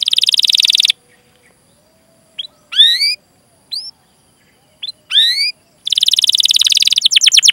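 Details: Canary song used as a training recording to prompt other canaries to sing: loud fast buzzy trills alternate with sharp rising whistled chirps, separated by short silent gaps.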